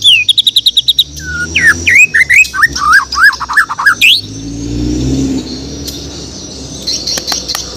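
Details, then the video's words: White-rumped shama from Borneo singing in the morning: a fast string of sharp repeated chips, then a series of looping whistled slurs, followed by quieter background with distant rumble and clicks. "The Best Bird Singing In The Word || Murai Batu Borneo"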